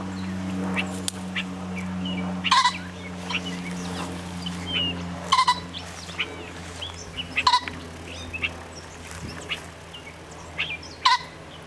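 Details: A male pheasant, which had chased the recorder before flying into thorny brush, gives harsh, abrupt cackling bursts every two to three seconds over a steady low engine-like hum, with faint chirps from small birds.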